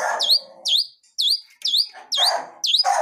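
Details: Wild long-tailed shrike singing a lively song full of fill-in phrases: sharp, high, chevron-shaped whistled notes repeated about twice a second, with a rougher, lower buzzy sound beneath some notes.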